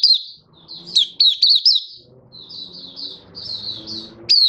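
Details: Caged Malaysian white-eye in Singapore on a sunny, warm day, 20 March 2023, gives high, quick, slurred whistles and soft twittering notes, with low mechanical or household background sounds between phrases.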